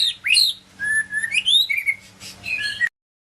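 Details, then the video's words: Medan white-rumped shama song: a sharp upward-swooping whistle, then a level fluting note and a rising phrase ending in varied chattering whistles before an abrupt cut-off. "kicau murai medan"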